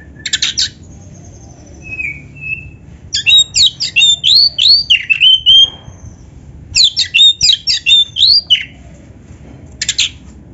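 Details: Oriental magpie-robin, a kept songbird used as a training song for other birds, singing loud bursts of varied whistled and rasping notes, fast sweeping phrases repeated in runs with short pauses between them.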